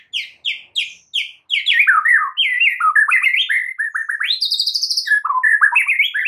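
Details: White-rumped shama master song for spurring caged shamas to sing; a few spaced chips, then fast, varied warbling with falling slurs and a long, high, rising whistle near the end, loud and clean.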